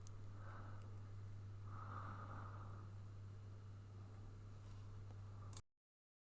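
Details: Constant low electrical hum with soft rustling and scraping, ending abruptly in silence; no animal calls.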